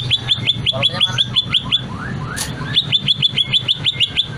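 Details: Greater green leafbird (cucak ijo) with long, varied singing to trigger song in other birds: crisp downslurred chirps repeated about six per second, a short pause with a soft rising note, then the chirp series again.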